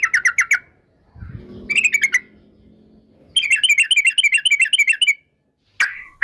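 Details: Female Yellow-vented Bulbul lure recording in the rolling 'ropel' style: short bursts of quick, sharp chirped notes, then a longer rapid chattering run, with a brief low rumble between phrases.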